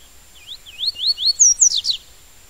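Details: Double-collared seedeater singing the tui tui song style: a short run of rising slurred whistles, then louder, higher downslurred notes crowded together before stopping abruptly.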